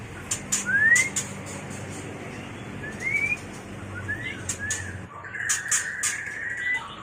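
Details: Luring and training call of a mating white-rumped shama: two separate rising whistled slurs, some sharp clicks, then a sustained whistled phrase at the close.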